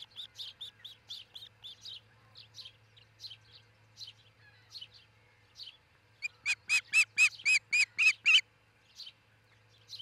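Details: At a nest in Charlo, Montana, on 22 June 2018 around 5 am, an osprey of the nesting pair gives soft, high chirps about three a second, then a loud burst of eight sharp, whistled cheeps over a low electrical hum.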